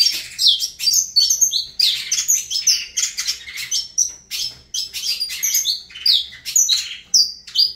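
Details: Continuous, lively song of a saffron finch: crowded high chirps and swooping whistled notes repeated without pause, sharp and ringing from start to finish.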